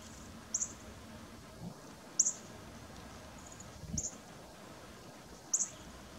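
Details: Harris's sparrow, rare for southern Ontario, visiting feeders in Wellington, Prince Edward County, 16 November 2019, giving brief, thin, very high call notes, one about every one and a half seconds, over a low background rumble.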